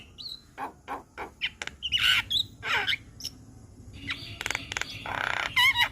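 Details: Javan myna, white-eyed type, in lively tutor song: short whistles, raspy squawks and noisy rattling bursts, ending with wavering whistled notes over faint background hiss.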